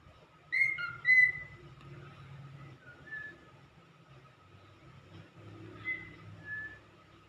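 A cockatiel gives two loud, clear whistled notes, then softer whistles over a steady background hum.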